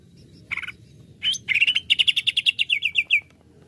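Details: Greater green leafbird provoked into excitement, giving a short buzzy burst, a rising whistle, then a fast series of clipped notes dropping gradually in pitch.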